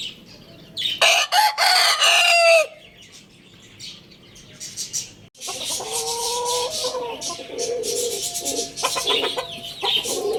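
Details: Lohmann Brown rooster crows in a loud harmonic burst of about one and a half seconds, then a quieter stretch before a long run of mixed clucking and squawking calls with steady background noise.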